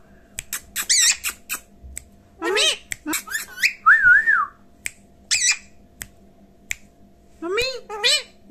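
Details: Parrot talking and whistling, producing squawky speech-like syllables, rising slurred whistles and a wobbling tremolo note, in quick irregular bursts separated by brief silences indoors.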